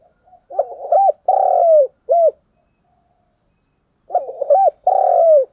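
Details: Decoy spotted dove giving thúc gù coos: two full phrases about three seconds apart, each a burst of quick bubbling notes followed by a drawn-out falling coo and a short closing hoot, loud and clear against silence.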